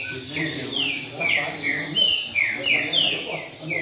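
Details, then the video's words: Double-collared seedeater in a competition circle delivering rain-style song, a string of clear, sliding, downward whistles about every third of a second, ringing over a steady low hum. "Coleiro Mack Na Roda Cantando Centrado Canto Chuva!!!"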